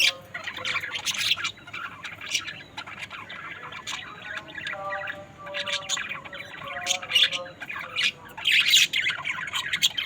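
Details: Budgerigars chattering with a busy run of short, scratchy chirps and squawks, some bursts rising and falling, with a few brief tonal notes against a steady low background hum.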